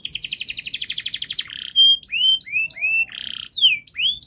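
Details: Canary singing continuously as a song to train young canaries: a fast, dense run of rapid trills, then bright rising and falling whistled slurs and buzzy notes, all high-pitched.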